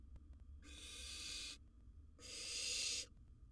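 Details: Two drawn-out, rasping hisses from a wild barn owl in a nest box, each close to a second long and separated by a short pause, over a quiet low rumble.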